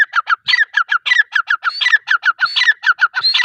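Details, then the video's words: Rapid, evenly spaced calling by a female grey francolin: short sharp notes in steady succession, with a higher squealing note returning about every half second. "Teetar sound | teeter voice"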